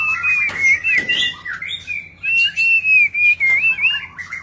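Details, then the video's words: Richly varied display song from a White-rumped shama: wavering whistled phrases repeated in quick bursts, a few sharp clicks, and a faint constant low hum in the background. "ลีลา นกบินหลาดง MURAI BATU GACOR White-rumped shama Display kích chòe lửa hót nhiều giọng บินหลาดง"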